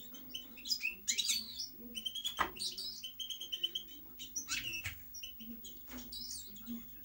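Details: European goldfinch song of quick chirps and twitters, a few clear sustained whistled notes and brief scratchy bursts, coming in uneven phrases over a soft low hum.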